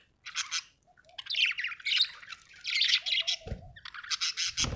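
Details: Happy budgie chattering almost continuously in harsh, scratchy squawks and warbled chirps, ending with a couple of low thumps.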